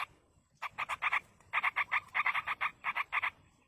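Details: Yellow-vented bulbul chicks begging as a parent feeds them in the wild: rapid bursts of short, harsh, buzzy notes, several quick groups of three to five, with brief pauses between groups.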